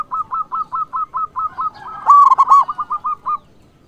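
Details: Zebra dove, a local bird in full voice, calling rivals; a quick series of short staccato notes, one loud harsh coo phrase in the middle, then more short notes trailing off.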